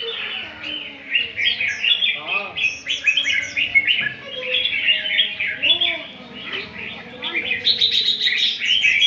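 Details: One-year-old albino red-whiskered bulbul practising its song: quick warbled phrases and sharp chirps repeated in rapid, uneven runs, with lower swooping notes underneath and steady chattering.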